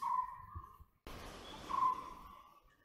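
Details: White-bellied woodpecker giving two long, steady mid-pitched calls separated by a brief gap, each call holding a flat tone before fading.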